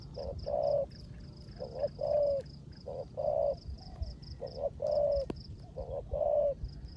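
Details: Decoy spotted dove in a cage, cooing 'rước gù' style in rain: brisk runs of short low notes each ending in a fuller, longer coo, repeated throughout, with rain rumble and a faint high rhythmic buzz.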